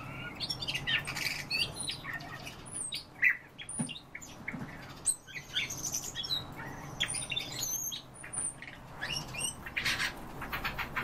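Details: Common starling song: harsh squawky notes and rattles alternate with high thin whistles and clicks in an uneven, mixed sequence, with some broad noisy bursts and a low hum underneath.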